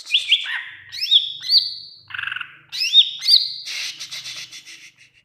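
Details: Greater green leafbird in a song-training recording for other leafbirds: continuous high whistled song of quick slurred notes, bright upswept and looping whistles, a short buzzy trill near the middle and a harsher rattling passage toward the end.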